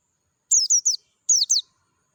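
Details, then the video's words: In natural surroundings, a wild Dakun-type Oriental white-eye gives two quick phrases, one of three and one of two piercing high descending chirps, with a brief gap between them. "PLECI DAKUN NGALAS SUARA JERNIH"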